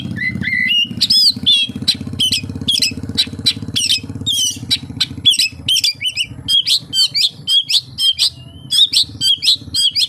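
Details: Oriental magpie-robin delivering kapas tembak imitations: rapid series of short, sharp high chips and whistled notes repeated several times a second, briefly pausing then resuming, over a faint low hum.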